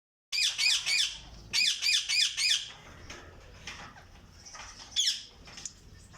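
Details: Alexandrine parakeet in a breeding bird cage gives harsh, raspy squawks in two quick bursts of three or four, then scattered louder screeches in a small indoor space.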